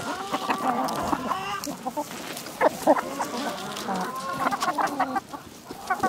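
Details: Chickens in a village yard, several hens clucking at once with short harmonic notes and brief sharp squawks scattered through a steady background of flock chatter and scratching.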